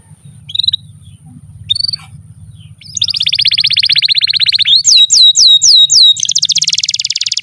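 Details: Canary in long, lively song, used as a tutor song for young canaries and ones that have stopped singing: two brief chirps, then a fast buzzy trill, a run of sharp downward-sweeping whistles, and a very rapid rolling trill over a low hum.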